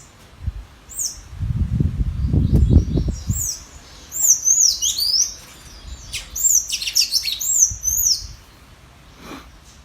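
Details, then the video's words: Tanager competing in song with a free wild bird: thin, high, squeaky slurred notes in quick irregular bursts. A loud low rumbling noise fills the early part. "Sanhaço disputando canto com o solto da natureza!"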